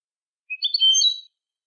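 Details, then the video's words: European goldfinch song phrase used to train young goldfinches: one brief, bright tinkling burst of overlapping high twitters under a second long, in clean silence. "الشريط الملكي لتسميع فراخ الحسون 2020 - Goldfinch Song - Jilguero Canto"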